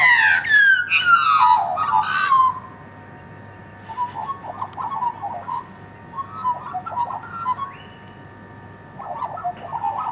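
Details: Wild Australian magpies, a group of about twenty scavenging off a bone while being fed meat, open with loud, fluting, descending warbled whistles, then fall to softer, scattered gurgling notes over a steady low background hum.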